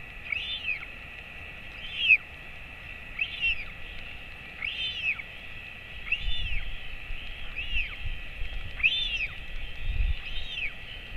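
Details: Feeding at a royal albatross nest, father and 217-day-old chick, late morning on 28 August 2024. A long series of eight arched, squeaky whistles about every 1.4 seconds, plus low rumbling knocks near the end.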